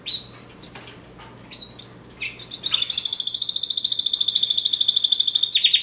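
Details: Pet canary starts with spaced, short whistled notes and chirps, then breaks into a loud, rapid high trill repeated evenly for nearly three seconds.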